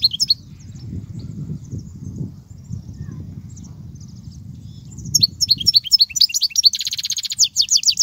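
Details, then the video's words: European goldfinch song used to tutor young goldfinches: several seconds of low rumbling background with scattered faint chirps, then a burst of quick, high, tinkling twitters and buzzy trills in the final three seconds. "تغريد الحسون"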